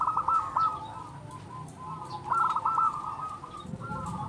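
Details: Local Indonesian zebra dove, loud and persistent, used to lure and stir other doves: faint, quick staccato cooing notes in short runs, partly masked by broad background noise and other fainter cooing.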